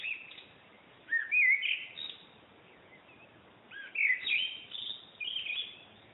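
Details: Backyard bird song from an unidentified singer: bright looping whistles and warbled phrases in bursts of about a second, separated by pauses, set against constant broadband background hiss.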